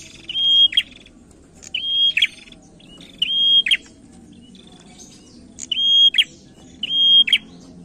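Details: Lure song from a male prinia: six loud phrases, each a clear level whistle ending in a sharp buzzy rattle, given at uneven intervals about a second apart, faint hum behind.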